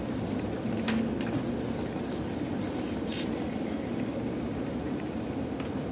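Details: Purple-throated male Anna's hummingbird near a porch, Pacific Northwest, 2017: rapid grating high-pitched squeaky phrases in quick bursts for three seconds, followed by a few isolated thin chips, with continuous low rumbling noise behind.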